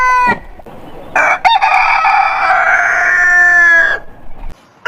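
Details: Roosters crowing, heritage chicken breeds: a short crow ending, then a long hoarse, raspy crow lasting nearly three seconds over steady low background noise, ending abruptly.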